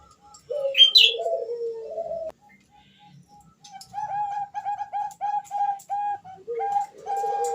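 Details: A Bangkok zebra dove hen calls the male, a lure for young singers: low sliding coos, then a steady series of short hooked notes, with brief high chirps from another bird at the start.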